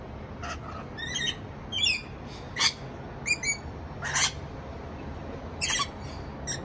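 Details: Rainbow lorikeet summoning its friends to a feast with short, sharp, scratchy squawks spaced irregularly, about seven bursts, over low background rumble.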